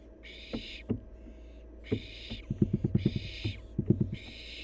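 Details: Wild barn owl fledgling at play: harsh, drawn-out hissing screeches about half a second long, repeated roughly once a second, with dull knocks and quick runs of tapping thuds between them.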